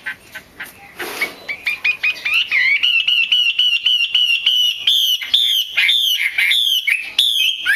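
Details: Female Chinese hwamei call meant to spur males to sing. A brief noisy burst opens, then the chatter builds into a dense stream of quick, evenly pitched harmonic notes, about two per second rising to faster.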